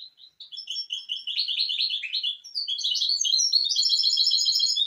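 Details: Misto hybrid canary singing on a recording used to teach young birds: a continuous, rising sequence of rapid high trills and rolling buzzy notes that grows louder and denser toward the end.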